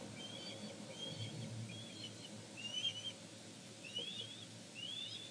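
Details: Osprey at a Glaslyn nest, as the father brings fish to a chick, giving a series of short, high, upslurred whistles, roughly one every second, over a low wind-like rumble.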